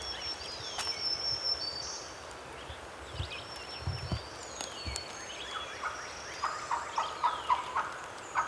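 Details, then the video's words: A distant male Wild Turkey gobbler in the Tennessee public-land mountains during spring hunting gobbles in a fast, rattling burst near the end. Thin, high songbird whistles and scattered knocks sound throughout. "MOUNTAIN GOBBLERS!"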